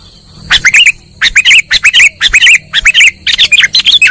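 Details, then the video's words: Lure call of a sooty-headed bulbul for trapping birds: clusters of lively chirped notes with rising and falling inflections, separated by brief gaps, over a constant thin high-pitched hum. "SUARA PIKAT BURUNG KUTILANG"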